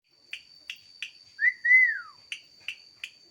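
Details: Bird with a very lively, energetic voice: sharp high chips repeated about every third of a second, broken by a long clear whistle that rises and then slides downward, with a steady thin high tone throughout.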